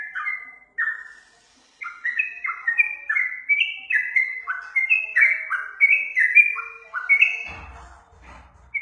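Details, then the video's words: Yellow-vented bulbul song for training other birds: a short opening note, a pause, then a long babbling sequence of descending whistled slurs, ending with a brief rustling thump and one last high note. "Masteran burung trucuk"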